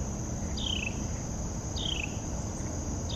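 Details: A Carolina wren calling in the morning at Tuckahoe Creek Park gives short, downslurred whistled notes about once a second, over a steady high insect drone and low background rumble.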